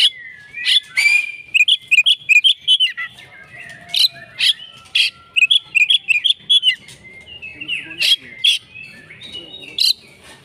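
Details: Oriental magpie-robin singing hard as a fighting bird: bursts of sharp chips and fast whistled flourishes, some long thin slurred whistles between, steady busy delivery throughout.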